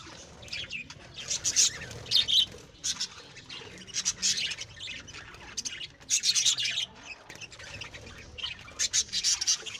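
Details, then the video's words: Pet lovebirds bred at home make repeated scratchy squawks and shrill chirps in clusters every couple of seconds, with rustling and a constant low hum beneath. "Lovebirds' Sounds Relaxation"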